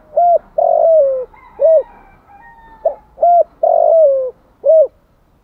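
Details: Spotted dove cooing in a rapid, rhythmic run to excite a lure bird, repeating arched short coos around long, gently falling coos, hollow and low-pitched, with little background sound.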